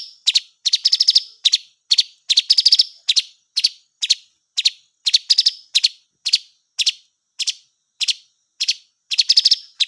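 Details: Blue magpie calling: a steady run of short, sharp, clicking chirps, some single and some in quick doublets or triplets, repeated about twice a second with brief gaps, against a silent background.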